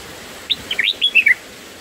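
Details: Black-headed bulbul chicks in the nest as a parent feeds them on the first day: a short run of five or six sharp, high chirps, rising and falling in pitch, packed into under a second against a quiet background.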